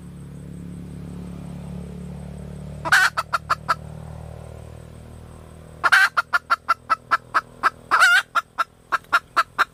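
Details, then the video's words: Female red junglefowl calling: after a quiet start, bursts of harsh, broadband squawks, each followed by a run of short, evenly spaced clucks on one mid pitch, in three groups. "เสียไก่ป่าตัวเมีย,Suab poj qaib tsauj cuab tuaj zoo tiag"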